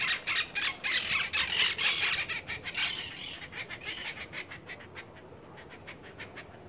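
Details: Winter flock of monk parakeets feeding on apricot buds in Alta Gracia, Córdoba province, Argentina, 31 July 2021. Loud burst of harsh squawks at first, fading into quicker, softer chattering notes.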